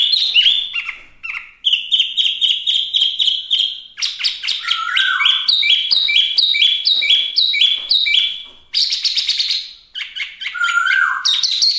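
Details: Chinese hwamei (wambi mini) giving a long energetic song of rapidly repeated whistled notes in varied series, with occasional low downslurred whistles between bursts.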